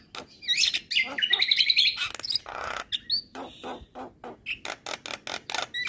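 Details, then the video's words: Javan myna in vigorous song meant to provoke neighbouring mynas. A buzzy, warbling phrase is followed by a long string of harsh clicks and chips repeated several times a second. "Burung Jalak Kebo Gacor Parah Bikin Emosi Jalak Tetangga"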